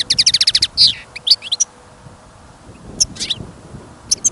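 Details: European goldfinch kept caged for listening, singing outdoors in snow and wind: a quick series of sharp repeated chips, a few twittered phrases, then a pause broken by scattered high notes over a low wind rumble.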